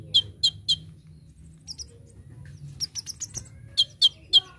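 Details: Olive-backed sunbird (konin) song from a master recording for training birds: scattered high thin chips in small clusters, some doubled notes and twittery fragments, with a low background hum.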